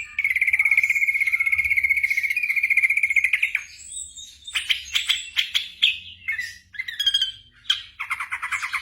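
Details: Black drongo song for training caged birds at night, beginning with a long steady trilled whistle lasting over three seconds, then a lively mix of rising whistles and rasping notes.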